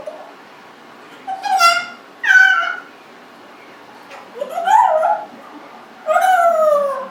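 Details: Congo African grey parrot, a 1.5-year-old pet indoors, gives a series of whining, whimper-like calls, some falling in pitch, with pauses between them.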